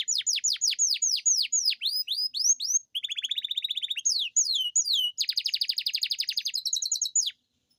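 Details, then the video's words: Domestic canary in full long rolling song, used to stimulate lazy canaries: a run of sharply falling whistles, a fast buzzy trill, swooping notes, then another long rapid roll ending abruptly. "Pancingan kenari gacor ngerol panjang dan pancingan kenari malas bunyi pasti"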